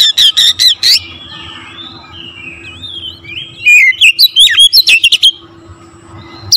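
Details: Energetic Oriental magpie-robin song meant to stir other magpie-robins into singing. It begins with rapid, buzzy chips, followed by soft, sliding whistles, then a loud burst of twisting whistles and harsh notes.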